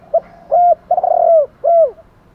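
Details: Spotted dove, male and female, calling in the morning to lure wild doves. A single mellow phrase: a brief opening note, a steady coo, a long tremulous coo, and a closing coo that falls away. Nothing else is heard.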